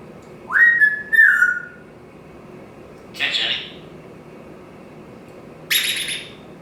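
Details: Pet parrot on its stand in a home kitchen and dining area during its morning routine: a two-part rising whistle with a short break, then two separate harsh, breathy bursts some seconds apart, in a quiet room.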